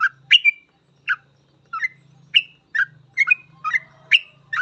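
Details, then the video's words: Vigorous full ropel song of a sooty-headed bulbul, intended as master training for other bulbuls: quick chirpy two-part whistled notes in steady succession over a low continuous humming noise in the background. "Suara trucukan gacor full ropel"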